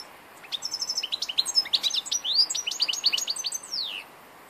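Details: An old European goldfinch, recorded on 2 August 2014, sings a rapid twittering run of sharp rising and falling whistled notes mixed with buzzy high trills, lasting about three and a half seconds against a quiet background.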